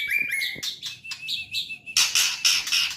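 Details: White-rumped shama singing a varied phrase of clear whistled notes sliding around a steady mid pitch, then bursts of harsh, scratchy, buzzy notes in quick succession.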